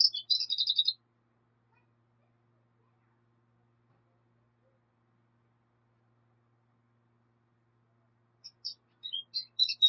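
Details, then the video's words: Black siskin singing in two brief bursts of high, twittery notes, one at the start and one at the end, with a long quiet gap between them. "Negrillo Boliviano! Llamado! Sonido! Cantando! - Black Siskin Song - Spinus Atratus"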